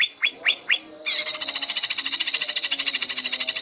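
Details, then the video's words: Greater green leafbird (cucak ijo) singing in the 'ngentrok' contest style, for training contest birds: three quick rising whistled notes, then a sustained rapid buzzy trill of high pulses repeated about eight times a second. "Cucak hijau gacor ngentrok"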